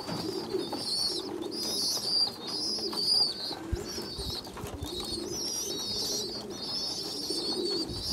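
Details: Pigeon youngsters being fed by a weaker, smaller young pigeon; high squeaky whistles in bursts of about a second alternate with matching low cooing pulses.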